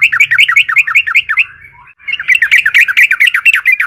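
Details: Lure song of a vigorously singing yellow-vented bulbul to make other bulbuls call: a quick run of rolling, zigzag chirps, a brief softer gap, then a denser bubbly chatter of rising-falling notes.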